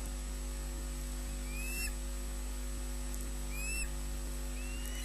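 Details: Early-morning osprey calls at a nest in Scotland during a fish delivery from male to female: a few faint, upslurred whistles spaced a second or two apart over constant low hum and camera noise.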